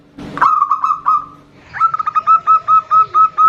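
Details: Zebra doves, a female calling to a male with a loud local male answering. Rapid whistled coos near one pitch, a short trilled phrase, a pause, then a faster run of about ten evenly spaced clear notes.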